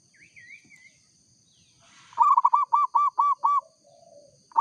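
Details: Local zebra dove singing: after a faint wavering whistle, a rapid run of six loud, rounded cooing notes, then a soft lower trailing coo.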